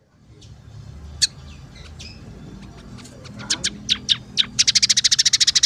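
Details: Singing scaly-breasted munia: scattered soft chirps and short sharp notes that gradually quicken into a fast, steady, ringing trill at the end.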